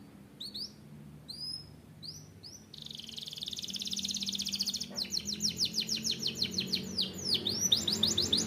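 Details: Canary singing: three sets of high upswept whistled notes, then a sustained buzzy trill and a fast rolling trill of rapid repeated notes, ending with downward-swept notes over a faint low hum.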